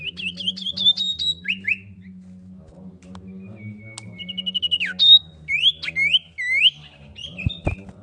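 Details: Female common iora calling the male to rouse rival birds: a rising series of thin chirps, then a long flat whistle, looping slurred notes and scattered sharp clicks, with a low hum underneath.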